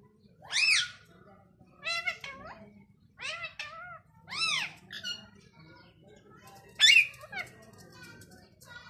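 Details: Talking ringneck parrot in a small room giving loud, arched, wailing speech-like phrases, about six separate utterances spaced a second or two apart, each sweeping up and down, over faint background murmur.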